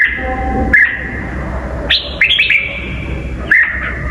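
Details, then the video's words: Red-whiskered bulbul song with a very twisty voice: clear level notes interrupted by quick rising flourishes, against noticeable low hum and room noise. "kích bổi giọng cực xoắn"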